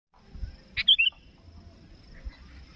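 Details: Sooty-headed bulbul, a lively calling bird answering a rival, as used in trapping; a brief buzzy note followed by two quick whistled phrases, the second dipping and rising, over a quiet background.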